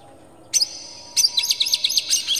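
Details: Oriental magpie-robin singing to provoke rivals into song, tail spread and agitated: a short harsh note pair, then a rapid run of scratchy, buzzy chattering notes.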